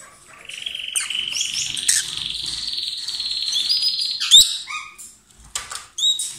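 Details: A pair of lovebirds, kissing or feeding each other, sing loudly: a long, continuous buzzy chattering warble holds steady for several seconds, then breaks into sharp squeaky chirps.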